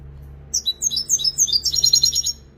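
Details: European goldfinch in continuous song: quick high chirps and slurred whistles that speed into a dense, buzzy twittering trill lasting over a second.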